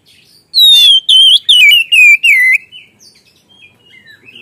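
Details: Oriental magpie-robin delivering gacor ngeplong lure song as five loud, evenly spaced whistles sliding gradually downward, followed by faint soft notes.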